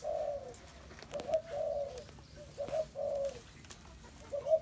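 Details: Spotted dove cooing: soft low coos near 600 in short phrases, a brief note then a longer rolling coo, repeated several times over a quiet background.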